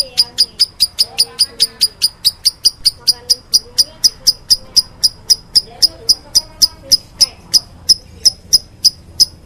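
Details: Lovebird, described as meloloh, producing a long even run of piercing short chirps at a brisk steady pace, with faint low murmuring in the background.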